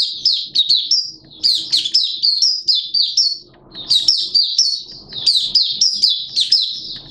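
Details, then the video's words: High, sweet, rapid warbling from a Malaysian oriental white-eye kept as a hobby songbird, singing openly: clusters of quick chirps and slurred whistles in bursts with brief pauses between phrases. "Malaysian Mata Puteh Buka Sing"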